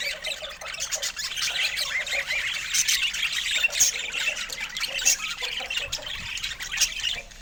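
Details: Pet budgerigars giving steady scratchy chatter and small squeaky chirps, a busy, even wash of sound across the whole stretch.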